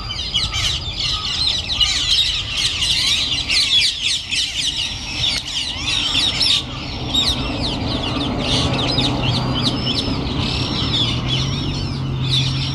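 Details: A flock of about 1000 parakeets, led by feral rose-ringed parakeets descended from escaped pets, enters its roost in a Japanese city in winter, with harsh, overlapping screeches and squawks over a low rumble.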